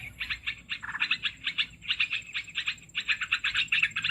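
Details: Olive-winged bulbul call used to lure birds into traps: clusters of rapid, buzzy chattering notes in short bursts separated by brief gaps, over a faint high steady tone.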